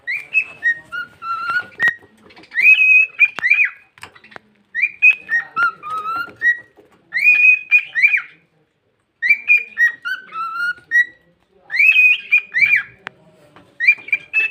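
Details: Pet cockatiel whistling a melodic tune: clear whistled notes rising and falling, grouped into phrases of several notes with short pauses between, the phrase returning again and again, in a quiet room.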